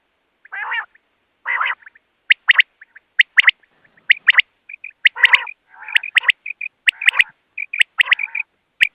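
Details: Common quail used as a decoy for trapping. Several rough, nasal, buzzy calls come first, then regular sharp three-note phrases mixed with soft doubled notes.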